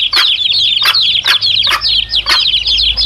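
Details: Chicks with their mother hen, a recording used to lure wild male junglefowl; dense, shrill, wavering peeps run almost continuously, broken by about five short, sharp clucks.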